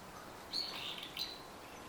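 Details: Brown-eared bulbul, recorded 9 October 2014: two high, harsh, shrill notes, the first longer and buzzy, the second short, against a quiet background.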